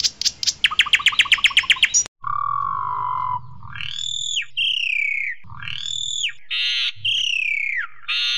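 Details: Asian pied starling singing loudly, meant as a master recording: a fast rattle of clipped notes, then a long low whistle and drawn-out arching whistled phrases with a faint low hum beneath.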